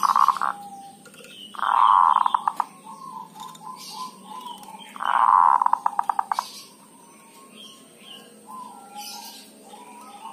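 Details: Zebra dove, local Javan bird, giving dhuduk and kerot calls used as a lure to draw other zebra doves into calling; two loud rolling bursts of low cooing notes, with softer quick repeated notes between them.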